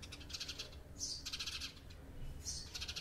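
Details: Chattering house sparrows, a group conversation of bright, high chirps fired in rapid runs of several notes, separated by short gaps, over low rumbling background noise.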